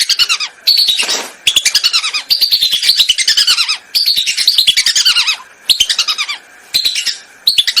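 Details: Lesser whistling duck calls played as a hunting lure: nearly continuous runs of quick, chattering whistles that slide downward, broken by brief gaps, with one short rushing, flapping-like noise early on.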